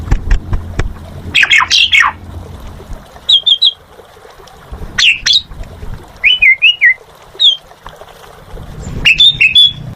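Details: Asian pied starling in gacor song, giving scattered groups of thin whistled notes, short wavering slurred phrases and a burst of harsh chirps, with quiet spells between them and low rumbling noise at the start and end.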